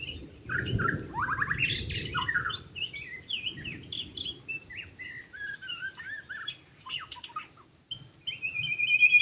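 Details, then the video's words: Forest white-rumped shama singing during bird trapping: a run of varied whistled phrases, some sliding down, some rising, in quick succession, over a low rumbling background. "Rekaman suara asli murai batu hutan ketika sedang mikat"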